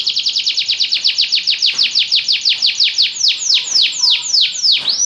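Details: Belgian canary singing a fast run of steep downward-sweeping whistled notes, about six per second at first, gradually slowing and widening into longer swoops toward the end.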